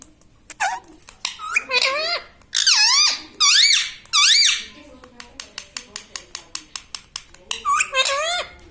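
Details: Pet parrot taught to say "mitthu" and "mummy", calling indoors: several loud swooping nasal phrases, followed by a rapid even train of about a dozen sharp clicks, then one more wavering phrase at the end.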